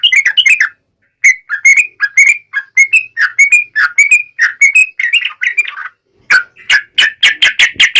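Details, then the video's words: Yellow-vented bulbul in vigorous wild-style song, used to provoke birds to sing and answer: dense phrases of bubbly, chattering notes, a short break near one second, another near six, then a fast run of sharp strokes. "KICAU SUARA trucukan gacor NGALAS TAJAM"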